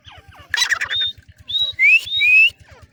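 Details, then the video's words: Female black francolin, known locally as teetar, calling: a harsh burst, then a short high whistle, then two clear upslurred whistles, with a faint low mechanical pulse ticking steadily underneath. "female tettar ki awaz"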